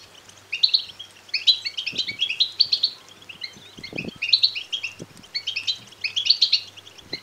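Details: Begging calls of European goldfinch chicks, used to excite males into singing and mating: high, tinkling chirps in bursts of roughly a second and a half, separated by short lulls, with occasional faint knocks.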